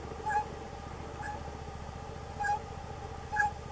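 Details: A plush-crested jay (Cyanocorax chrysops) gives four short, clear, mid-pitched call notes about a second apart over a low steady hum.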